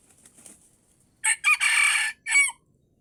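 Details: Red junglefowl crowing, lured with a decoy in the wild near the end of the fasting month: a sharp opening note, then a long harsh sustained syllable and a short falling final note, clear against a quiet background.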